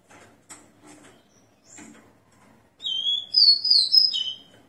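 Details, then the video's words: After moulting, a captive Rufous-collared sparrow delivers its morning song at six o'clock, 29 September 2021: several soft clicks and cage taps, then a loud run of pure, high whistled notes sliding downward at the end. "Tico tico Spider cantando após muda de penas!"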